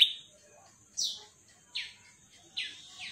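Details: Atlantic canary with a clear voice, singing in a recording meant to tutor young canaries toward long rolling song. Sparse, separate downward-slurred whistles come roughly every second over quiet background hiss.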